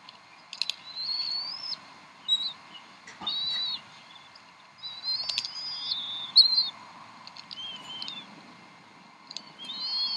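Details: Decorah bald eagle nest, 26 April 2012 at 7:50 pm CDT, mother feeding three young: a series of high, wavering whistled calls and chitters, some rising, some dropping, with brief clicks and a soft thump between them.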